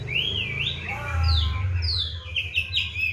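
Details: Oriental magpie-robin in a cage, singing eagerly: clear wavering whistles that climb and dip, then a burst of high sharp notes, over a low steady hum.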